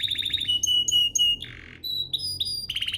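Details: Domestic canary song used to provoke other canaries into singing, mixing a whistled trill, repeated clear notes, a short low buzz, thin high tones and a final chattering trill.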